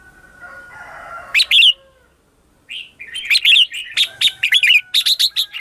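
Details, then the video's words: Red-whiskered bulbul morning lure song to attract wild birds: a burst of bright whistles, a brief pause, then a rapid run of repeated rich chirping phrases, lively and dense. "Luyện chào mào hót sáng - CHÉ GỌI BỔI CĂNG ĐÉT"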